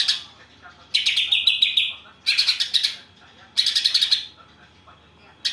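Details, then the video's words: Greater green leafbird singing a song filled with imitations of house sparrow and kapas tembak: dense buzzy chattering bursts of rapid pulsed notes, about a second long, repeated after short pauses, one with a slightly falling tone. "Cucak ijo isian Gereja vs Kapas Tembak"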